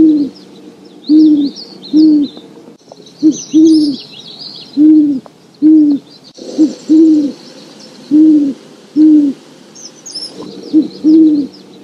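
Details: Wild great horned owl (Bubo virginianus) giving deep, soft hoots in rhythmic runs of two to four notes, with faint high twittering from other birds behind.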